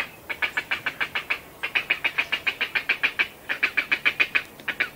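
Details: Grey heron feeding calls from well-grown chicks in the nest, with adults: a rapid run of harsh, clicking, ticking calls, about three or four a second, in bursts with short pauses between.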